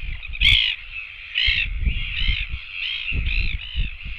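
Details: Royal albatross chicks begging for food at a nest camera, dated 24.09.17; a run of harsh, nasal, wavering calls repeated roughly every half second to a second, with low wind rumble underneath.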